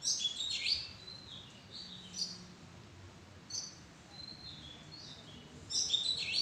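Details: Oriental magpie-robin in a madan tree bower: short bursts of bright whistled and chirping notes at the start and end, a few thin sliding whistles between them, and quiet low rumbling background noise.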